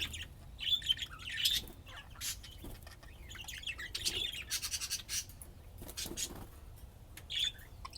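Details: Pet budgerigars playing, possibly in Austin, Texas, giving scattered high chirps and short whistled notes between bursts of scratchy noise, with a quiet low background hum.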